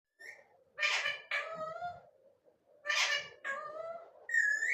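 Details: Talking pet rose-ringed parakeet chattering non-stop indoors: harsh harmonic squawked syllables in two bursts of speech-like phrases about two seconds apart.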